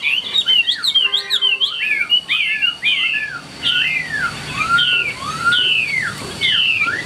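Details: Chinese hwamei in a cage, a fighting bird whose song style is called ngũ trường. Rich, varied whistles: rapid rising and falling slurs, then longer, clearer swooping notes spaced about half a second apart.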